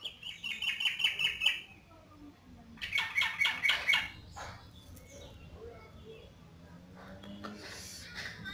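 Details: Actively singing yellow-vented bulbul producing two rapid, pulsing bursts of chattering notes about a second long each, followed by quieter scattered chirps.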